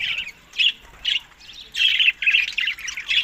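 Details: Budgerigars at summer feeding time, May to June, tagged Larkana, Sindh; short squawky chirps come in separate bursts, then a longer run of rapid warbling notes.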